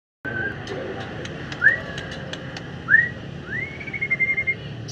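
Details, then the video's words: White-rumped shama singing in the afternoon: clear whistled notes, short rising slurs repeated about every second, then a longer rising whistle that levels off into a held tone, over steady low background rumble and faint clicks. "Bahan Murai Batu Gacor"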